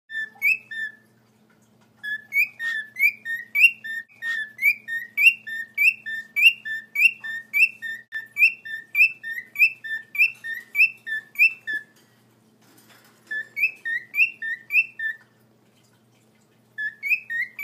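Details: A male pet cockatiel (Nymphicus hollandicus) serenades his mate with a lively whistled courtship song of quick, rising and falling notes repeated in bursts.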